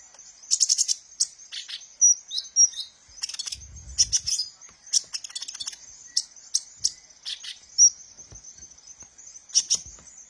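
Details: Kolibri ninja sunbird used as a lure sound for training birds: bursts of very high, sharp ticking chirps and brief thin whistles, spaced irregularly over a faint constant high hiss, with a short low rumble midway.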